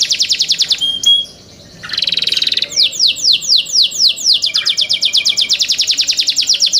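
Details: Young caged canaries singing: quick repeated chirps, a short pause, a buzzy trill, then a long rhythmic chain of high falling whistled notes about four a second.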